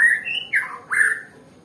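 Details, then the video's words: Nias white-rumped shama, described as a bird reluctant to sing, giving three short, slurred whistled notes, the middle one falling, over a faint room hum. "Murai batu yg males bunyi ya seperti ini contohnya"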